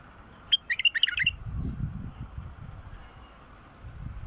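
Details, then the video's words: Wild bulbul, whose song is used to prompt silent bulbuls to sing, gives a quick burst of about six bright, liquid whistled notes bubbling up and down, followed by low rumbling background noise. "تغريد بلبل وحشي"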